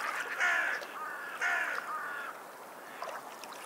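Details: Seabirds at a seashore: two loud, harsh, harmonic calls with a falling pitch, about a second apart, then fainter calls, over a steady hiss of waves.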